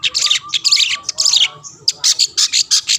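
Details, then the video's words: Long-tailed shrike (cendet) uttering harsh, scratchy chattering bursts to provoke rival shrikes, followed by a short whistle and a regular series of rasping notes. "burung cendet gacor pendongkrak emosi lawan‼️ pancingan / masteran handal"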